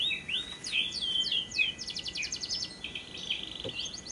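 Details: Lovebird lure recording meant to set other lovebirds singing by day and night: high slurred chirps break into a fast, buzzy rattling trill, then more scattered squeaky notes.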